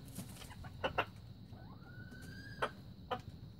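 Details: Single thin whistled note from a young red junglefowl, 2019, rising briefly then held level for about a second, with scattered sharp clicks before and after.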